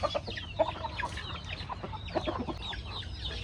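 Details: Several backyard chickens feeding on corn in a rustic farmyard, heard close up: dense, overlapping short clucks and soft chirps, many in quick succession, over a steady low background rumble.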